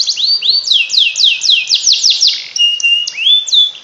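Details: Canary singing a special song for stimulating lazy canaries, with rising whistles leading into a run of bright descending slurs several per second, then short high pips and a rising whistled note.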